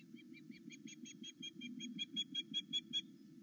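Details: Wild osprey at a Loch Arkaig nest, seen on a live nest camera in the morning, calling excitedly at its mate's return: a rapid series of short, clear, whistled cheeping notes, about three per second, growing louder, over a steady low rumble.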